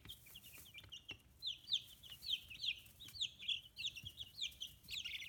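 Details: Chicks 15 days old on a free-range farm in Kitahiroshima, Japan, feathers starting to grow: loud shrill peeps repeated about every half second, each a sharp downslur, over a softer background chorus.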